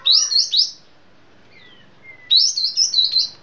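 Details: Sooty-headed bulbul from Sumatra: bright, high warbled phrases, a pause with a few thin gliding whistles, then another rippling high phrase.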